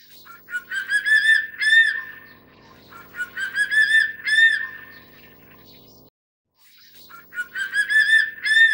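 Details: A Crested Serpent Eagle (Spilornis cheela hoya) in Taiwan gives loud, ringing whistled notes in short runs, swelling in strength, repeated in bouts with a brief silent gap; faint low hum beneath.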